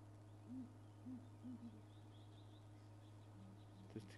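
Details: Southern ground hornbills at Djuma Game Reserve, South Africa, on a morning of 10 July 2011, call to keep in touch. A nearer group, on the left of the road, gives four short, deep booming hoots in two seconds. Fainter answering notes follow over a steady low engine hum.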